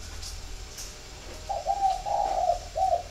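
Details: Spotted dove, one of a flock at a bird garden in Ba Vì, Hanoi, Vietnam, delivering a single soft, throaty phrase of drawn-out coos ending with a short clipped coo, after a quiet start.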